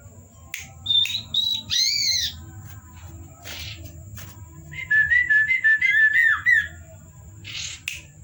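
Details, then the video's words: Common iora (cipow) singing actively at night, with varied whistle phrases: high clear whistles, then a rapid wavering trilled series and a final brief burst, with a faint steady high tone and low hum behind. "burung cipow teman ngopi_gacor di malam hari_variasi siulan"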